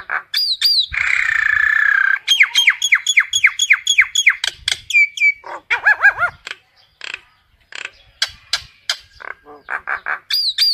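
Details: Common myna calling the flock: a harsh buzzy rasp, then a fast run of sharp downslurred whistles, a few arched gurgling notes, and scattered clicks and chips, ending on a high whistled pair.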